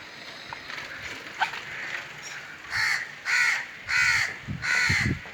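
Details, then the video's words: Crow giving four harsh, raspy caws in quick succession, each lasting about half a second and spaced roughly half a second apart, after a quiet stretch with faint background noise. "Crow call | Crow sounds"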